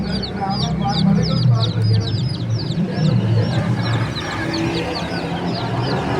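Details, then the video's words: Chicks in a busy bird market peeping in fast, high, overlapping chirps, strongest in the first half, while nearby human voices and low market rumble run throughout. "Beautiful Chirping Sounds of Cute and Funny Chicks"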